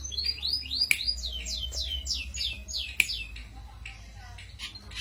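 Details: Cito bird singing as a lure or master recording for songbird training: a rapid series of bright down-slurred whistled notes, about three per second, then softer chirps, with steady low hum and two sharp clicks.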